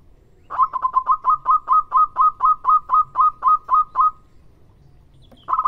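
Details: Local zebra dove singing vigorously: a steady run of about fourteen short cooing notes near one pitch, each dipping sharply at the start, roughly four per second, then a brief pause before a new series begins.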